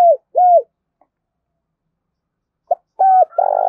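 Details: Spotted dove cooing, used to stimulate caged newly caught doves to call: two falling hollow coos, a silent gap, then a short note, a level coo and a rough rolling coo.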